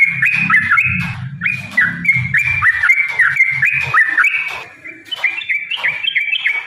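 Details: Long fighting song by a yellow-vented bulbul, used as a lure to make other birds sing: a lively series of bouncy, dipping whistled notes about three per second, with low thumping noise early on that dies away.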